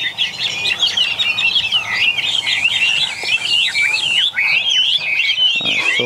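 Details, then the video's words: Caged wild-type Chinese hwamei singing a long unbroken stream of quick, bouncing whistled notes, repeated looping phrases rising and falling, loud and steady for six seconds. "8 em hoạ mi thuần, mới về phục vụ anh em | Hoạt Họa Mi"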